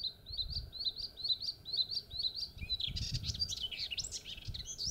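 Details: Melodious warbler singing in rural Mayenne, France, on 30 May 2022 at 11:28, handheld recording: a string of about ten evenly repeated chirped notes, then a hurried jumble of scratchy, warbled high notes, over low rumble.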